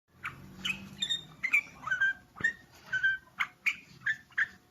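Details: Bulbul singing: a lively run of short whistled and chirping notes, about two per second, each a quick bright burst with slurred rising and falling tones, in a quiet indoor setting.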